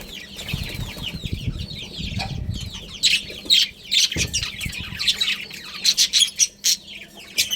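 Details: Budgerigars, a breeding pair kept in a colony: a busy stream of short curved chirps and warbles, with sharper broadband squawks growing louder in the second half, over low rustling and wing-flapping noise.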